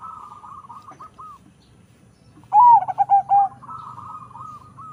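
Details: Crossbred zebra dove from local and Bangkok lines, noted for a very big voice: faint rolling coos, then a loud burst of four staccato rising-falling cooing notes mid-clip, followed by quieter trilled cooing with a low rumbling background.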